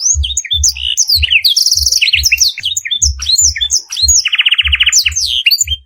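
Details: Canary song on a master training recording filled with black-throated canary phrases: dense high twittering, sweeping chirps and buzzy trills, over a regular low thumping beat throughout.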